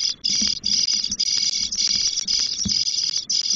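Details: Ten-day-old Spotless Starling chicks in a nest in the Doñana marshes give a continuous chorus of harsh, high, buzzy begging rasps, pulsing rapidly with brief breaks, as the female brings food and removes droppings.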